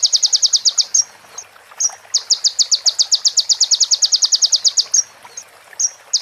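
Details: Sunbird (konin) with prinia-style fills, used to train other birds: a short, rapid burst of high notes, thin slurred whistles between pauses, then a long, quick, evenly paced string of sharp chips, ending in whistles.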